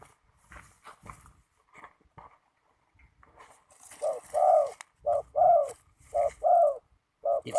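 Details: Spotted dove cooing during ground decoy trapping on a windy day: faint scattered sounds at first, then loud paired coos, short then long, repeated about once a second.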